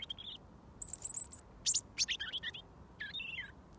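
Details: Robin singing from about a foot away, waiting for mealworms after a year of daily feeding. Sparse high notes: a short whistle, a long thin high note, then quick descending fragments.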